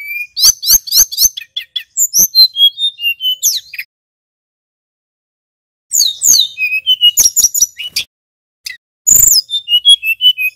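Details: A male Tledekan Gunung (Snowy-browed Flycatcher) gives bursts of lure song to excite other flycatchers: quick repeated high chirps and falling whistles, a two-second silence, then renewed rolling trills and piercing notes.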